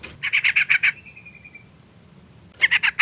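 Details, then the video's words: Female sooty-headed bulbul giving her call to a male: a quick run of about seven raspy chattering notes, a thin fading whistle, then another short chatter burst. "suara panggilan trucukan betina EMOSI gacor pancingan bunyi burung trucuk jantan"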